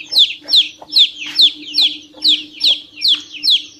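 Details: Loud chick peeps, each a piercing note sliding downward, repeated evenly about two or three times a second over a soft low hum.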